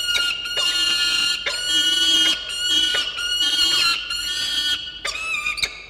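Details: Peregrine falcon at a monitored nest site in Orange, New South Wales, a young bird calling to its father on 4 August 2021 at 9 am; loud, harmonic, drawn-out squealing wails in bursts, repeated roughly once a second.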